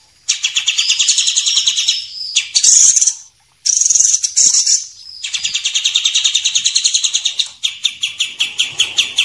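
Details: White-rumped shama, a champion bird and a young spotted bird, used as training audio for songbirds: long high rattling trills broken by short harsh bursts and one brief silence, ending in faster, separate clipped notes.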